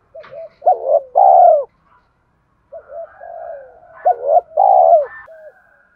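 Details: Spotted dove cooing meant to trigger cooing in wild doves. A hooked double note and a long rolling coo, then softer murmured coos, then the phrase repeats with a brief higher whistle at the end.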